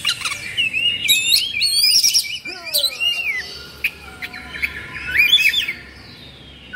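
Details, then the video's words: Tail-spreading, worked-up oriental magpie-robin in kongslet song: dense, fast whistling and rattling phrases, with a series of descending whistled notes in the middle and quieter chatter near the end. "Suara Kacer Emosi/Kongslet"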